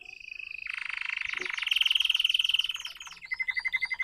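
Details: Red canary learning its song: a long, fast, buzzy trill that grows louder, then a slower run of repeated clear whistled notes.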